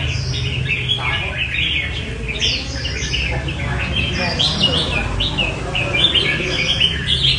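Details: Several red-whiskered bulbuls, not yet leg-banded, sing together in a competition session: bright, chirpy, overlapping phrases, with a steady low rumble and faint voices underneath.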